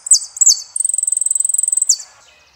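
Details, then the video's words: Saffron finch singing the El peregrino song style: two sharp descending buzzy notes, then a long rapid trill of evenly spaced high pips lasting over a second, closing with another downward slur. "JILGUERO ARGENTINO - El peregrino"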